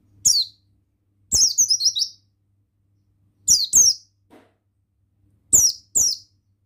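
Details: Lively male Oriental white-eye, buxtoni form: loud, very high, falling chirps in pairs and a longer rattling twitter run, phrases coming every second or two, recorded close with little background.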